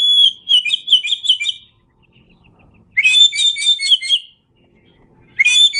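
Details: Oriental magpie-robin, called kacer, in a masteran song recording: three loud bouts of fast, repeated whistled trills, each about one and a half seconds long, separated by quiet gaps with soft clicking.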